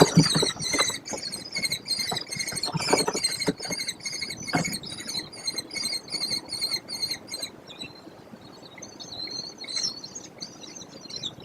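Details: American kestrel at a nest box with five chicks hatched 14–16 May 2025, on a barn near Prairie du Chien, Wisconsin, above grassland: a fast run of shrill, high 'klee' notes, about three a second, trailing into softer calls, with low thumps nearby.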